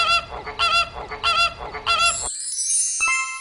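A flamingo gives four loud, nasal, goose-like honks about two-thirds of a second apart, then the sound cuts abruptly to a high tonal sweep.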